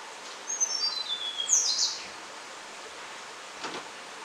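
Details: Tickell's blue flycatcher, alert and one hop from its warm shelter: a thin, very high series of notes slides downward in about a second, followed by a sharper high note, over steady background hiss.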